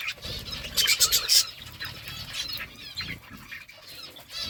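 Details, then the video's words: Birds chirping over their food: a loud cluster of sharp, repeated chirps near the start, then softer scratchy twitters and scattered peeps over low background rustling. "Birds eating food birds chirping sounds"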